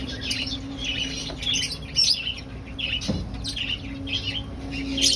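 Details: High chirping from finches kept in an aviary colony during breeding, looking for nest sites. Quick clustered tweets repeat through the clip above a constant low droning tone.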